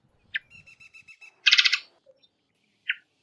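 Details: A varied thrush gives a crisp single chip, then a loud grating rasp lasting about a third of a second, then another chip; a faint, thin, pulsed whistle runs faintly early on.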